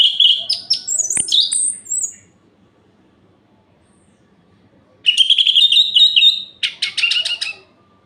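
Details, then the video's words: Night-time provocation song of an orange-headed thrush: high whistled notes sliding upward, then silence, then a dense run of buzzy, chattering whistles and rapid clicks before fading. "Suara Ini Bikin Gerah Anis Merah Lain"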